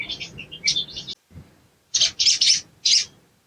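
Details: High chattering chirps from a spiderhunter, a twittering run, a short pause, then four loud harsh bursts, used as material to make birds sing sooner; low background murmur.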